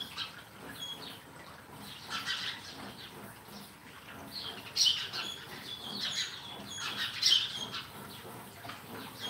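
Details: Sparrow chatter: scattered, fairly soft chirps and twitters, with a few louder sharp notes near the middle and toward the end.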